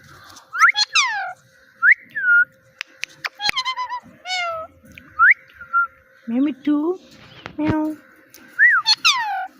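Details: A little pet parrot talking, repeating "Mitthu" and "meow" in short whistled, rising-then-falling phrases with bright harmonics, some lower voice-like syllables near the end, and sharp clicks between.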